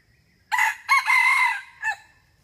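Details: A single 'rung ực' crow from a male red junglefowl, used as a lure for trapping wild junglefowl. Four-part crow: brief start, a quick rising note, an extended raspy middle, and a short trailing end. Quiet otherwise.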